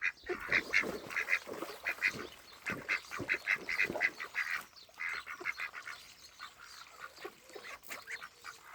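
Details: Ducks and ducklings at a Welsh pond in May, uttering bursts of quick, clipped nasal notes in runs, pausing midway and then resuming more sparsely.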